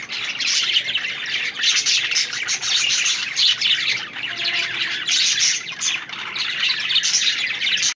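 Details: Constant bright chirping and scratchy warbling from a group of budgies, busy and overlapping, ending abruptly.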